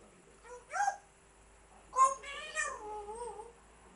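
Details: Grey parrot giving a short nasal call, then a longer wavering, whining call with a drawn-out, slightly falling tail, in a quiet indoor setting.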